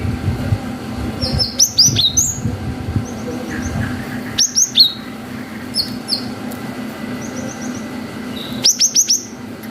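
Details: Lure recording of a singing Cinereous tit with long 'wucit' phrases meant to provoke young birds to respond. Quick clusters of piercing, downward-slurred whistles alternate with softer thin chirps, over a constant low background drone.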